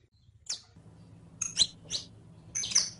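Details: Saffron finch, the canario criollo, singing in captivity for a teaching recording; a few separated high chips followed by a longer buzzy trill near the end, steady low hum behind.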